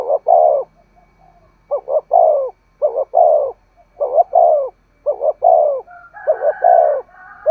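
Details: Spotted dove repeating its 'thúc gù' urging coo, played so wild and decoy doves answer all day. Low two-part hoots each followed by a falling coo; a faint higher sound appears near the end.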